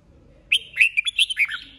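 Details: Red-whiskered bulbul in competitive song, a wild-caught old bird: a quick burst of clear, warbling whistled notes, six or seven short rising and falling phrases packed into about one second, with a quiet background.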